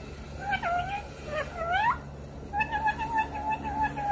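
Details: Talking parrot producing sliding, meow-like calls, then a steady run of short, flat, tonal notes in quick succession.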